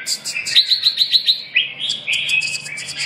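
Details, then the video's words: Red-whiskered bulbul (chào mào) singing a quick run of about six sharp repeated notes, then a bright rolling warble of slurred whistles. "chim Chào mào"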